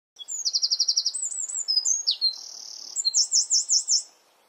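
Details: Eurasian wren singing in a garden, partly hidden: loud, rapid high-pitched song of fast trills, a sustained buzzy rattle and a closing series of sharp ringing notes, all crammed into about four seconds.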